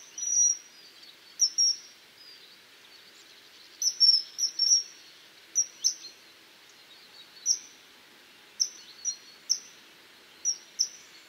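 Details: Common kingfisher calling: sharp, very high whistled notes singly and in quick pairs or triplets, spaced irregularly over about eleven seconds against a soft background hiss.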